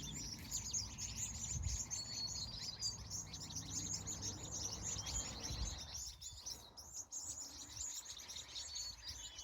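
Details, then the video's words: Birds at sunset in California, evening: many high, thin chirps and short whistled notes overlapping continuously over a low, rumbling background noise. "Sunset, Bird Sounds"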